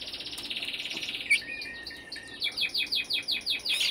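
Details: Brambling calling: a buzzy high trill at first, then a quick run of short descending notes repeated about three times a second, fairly loud and close.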